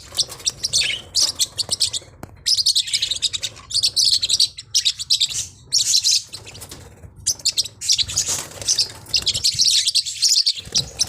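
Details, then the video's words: Forpus parrotlets, small hook-billed parrots, giving dense bursts of high, thin chirps and twitters in rapid overlapping runs, with brief pauses between flurries and a faint low hum underneath. "เสียงนกแก้วฟอพัส เพราะมาก"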